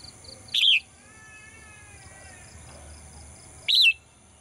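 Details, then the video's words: In a cage each morning, a female bird sings two single looping, falling chirps about three seconds apart, with a quiet steady hum and faint tones in between. "เสียงนกร้องเจี๊ยก ๆ ไพเราะมาก"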